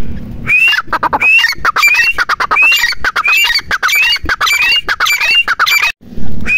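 A grey francolin calls loudly and harshly, with a rapid run of squawky notes that each end in a rising whistle, repeated about twice a second. A low hum sounds at the start and end.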